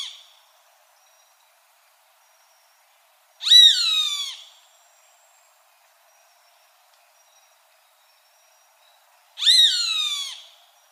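Roadside hawk giving two loud, harsh descending screams about six seconds apart, each a drawn-out nasal squeal falling in pitch; otherwise quiet.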